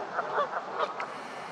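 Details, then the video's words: Canada geese getting into a fight, giving a few short, nasal honks in quick succession over a steady background hiss. "Canada Geese Honking Loudly While Getting Into a Fight"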